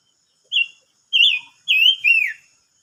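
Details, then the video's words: Silver-eared mesia singing, recorded 25 May 2022: four loud, clear whistled phrases, the later ones slurred and falling at the end, separated by short pauses, with no other sounds. "chim ngú sắc hót mới nhất"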